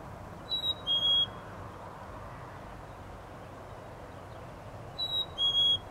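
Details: Male Black-capped Chickadee sings his 'fee-bee' (phoebe) song to defend the nesting territory from other males: a higher then a lower clear whistled note, twice about four seconds apart, over a steady background hiss.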